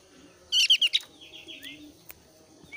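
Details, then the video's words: Javan grey-throated white-eye in breeding condition, singing to prompt other white-eyes to sing: a quick burst of four sharp, high chirps in half a second, then a faint thin whistle trailing off over quiet hiss. "PANCINGAN BURUNG OPIOR ALIS TIPIS OVER BIRAHI GACOR"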